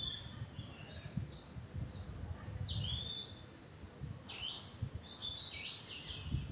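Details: Oriental magpie-robin in a tree thicket, giving varied whistled notes, slurred rising and falling phrases, then a burst of rapid sweeping notes, with low rumbling noise beneath.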